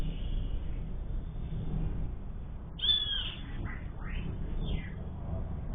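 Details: Brazilian sayaca tanager singing: a bright high note followed by a few short swooping whistles over about two seconds, set against a low continuous background hum.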